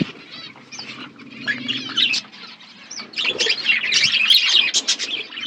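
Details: Budgies chirping while eating food: scattered chirps and a low hum at first, then a swelling burst of fast overlapping warbled chatter from several birds.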